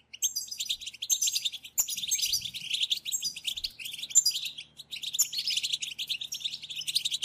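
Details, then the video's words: Group recording of European goldfinches singing together, used to stimulate a silent goldfinch to sing: dense, overlapping high twittering and tinkling trills with buzzy notes, almost continuous, with a brief pause near five seconds and a faint low hum. "أخرج حسونك من صمته واكتشف التغاريد المخفية لديه.. بتبتة خرافية وتحفيز رهيب"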